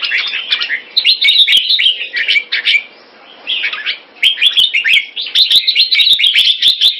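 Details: Singapore red-whiskered bulbul kept as a pet, keke on command: lively bursts of chattering, tumbling notes, a quiet pause around the third second, then a long rapid warbled run with clicks.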